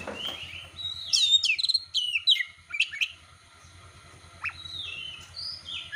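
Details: Oriental magpie-robin singing in full voice as bait to trigger other competition magpie-robins: a burst of sweet, sliding whistles and sharp chirps for two seconds, then softer scattered notes and thin whistles over a steady low hum.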